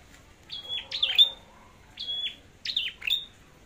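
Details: Red-headed flowerpecker in competitive fighting song, checked for spirit before a forest trip: two bursts of sharp high downward-sweeping chips, each ending in a thin level whistle, separated by a short pause.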